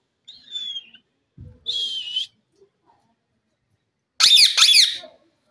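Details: A pet green Indian rose-ringed parakeet gives a high, slightly falling whistle, then a second shriller whistle, and ends with a harsh, grating double screech. No clear words come through.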